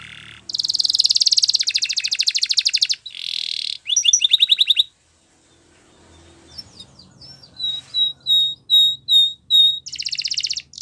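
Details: Training song from a canary: dense buzzy trills and fast chattering rolls, then a short silent gap, followed by clear separate piping notes and a final buzzy trill.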